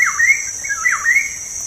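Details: Black-naped oriole (kepodang) lure song from Indonesia, meant to make lazy caged birds sing again: two rich fluty phrases, each dipping low then gliding up to a held whistle. A constant high cricket hum runs behind.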